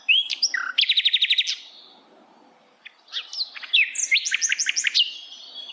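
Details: Song of a flycatcher in wild forest habitat: a fast rattling trill of repeated high notes, a pause of about a second, then another burst of twittering chirps and quick ascending trilled notes.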